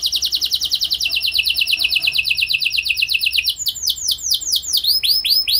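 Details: Canary used as a singing lure for other canaries, a long rapid trill of repeated high notes breaking into deeper swooping whistles toward the end.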